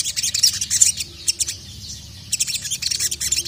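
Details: Excited sogon calling to a male: quick high twittering bursts, a quieter pause in the middle, then another fast run of sharp chirps.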